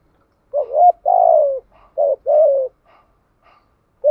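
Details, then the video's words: Decoy spotted dove giving its provoking cooing call: a hooked coo, a long falling coo, then another short and long coo pair, with faint soft notes between them. "Tiếng chim cu mồi kích bổi nhanh nổi/ tiếng thúc đấu , gáy gọi. bài bản/ kích là gáy, cu cườm gáy"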